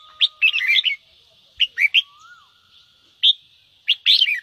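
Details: Ché song of a red-whiskered bulbul for firing up birds to sing: a quick warbled phrase, then short clipped notes with gaps, plus a soft sliding whistle and a faint steady tone in the background.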